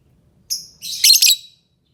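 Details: Lovebird making a high thin note followed by a harsh, buzzy double chirp.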